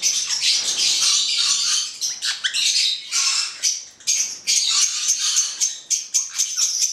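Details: A pair of Caique melanocephala, black-headed parrots, trading harsh screechy squawks; a long continuous burst at first, then rapid clipped squawks repeated about every third of a second.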